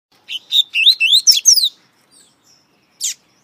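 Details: Double-collared seedeater (coleiro) from Brazil, hailed as one of the country's best singers with many CD recordings: a quick run of bright, slurred whistled notes rising and falling, about eight syllables in a little over a second, then a lone sharp high note.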